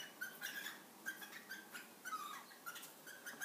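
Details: A pair of cockatiels mating in front of their young give short, squeaky chirps over and over, with some rustling in between.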